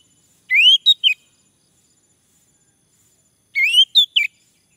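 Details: Male orange-headed thrush prompted to sing, giving two short phrases about three seconds apart, each a rising whistled slur followed by two quick sharp notes, in a quiet background.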